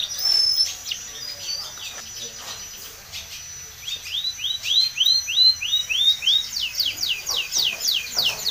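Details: Timbrado canary song for training: scattered sharp chips, then a long series of repeated bright sweeping notes that quicken into a fast run of downslurred phrases.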